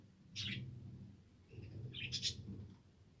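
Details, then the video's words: Budgies, colourful pet parakeets, recorded 7 November 2023 singing: two bursts of bright, high chirping twitters about two seconds apart, over a low steady hum. "budgies parrot Singing sounds"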